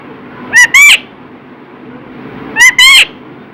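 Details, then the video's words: Talking parrot repeating "Radhe Radhe": two paired, raspy, voice-like syllable bursts about two seconds apart, each pair rising slightly in pitch, over a quiet hiss between phrases. "राधे राधे बोलने बाला मिठ्ठू"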